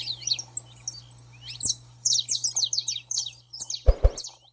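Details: Saffron finch 'baderna' song to excite a pet bird: irregular, high, twittering chirps that build into a faster run, ending with a couple of low knocks and a steady hum.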